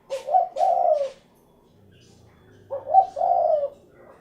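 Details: Spotted dove, locally called derkuku, giving low mellow cooing phrases of a short note run into a longer rolling coo, two phrases separated by a pause of about a second and a half, in a quiet setting.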